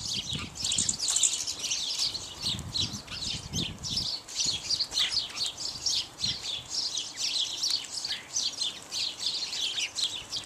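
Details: A group of house sparrows, mostly male with at least one female, feeding on bird seed; constant overlapping chirping, with soft low thumps and wing flutters early on.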